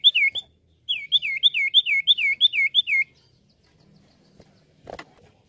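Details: Common iora lure song: a quick series of about eight looping, dipping whistled notes, then quiet with a single soft thud.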